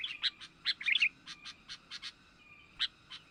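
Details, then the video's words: Young sooty-headed bulbul used as a lure for wild birds; a run of short, bright, bubbling notes in quick clusters, then sparser single chirps over a faint steady hum. "Mikat burung kutilang,pikat kutilang muda berbakat"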